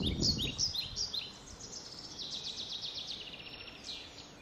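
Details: Blackbird young in a shed nest, fed insects; a few loud high chirps with rustling at the start, followed by a steady stream of fainter, rapid, scratchy begging notes.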